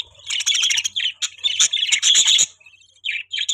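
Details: Budgerigars chirping: rapid, scratchy warbling chatter in bursts, rising and falling, with a pause before short final chirps.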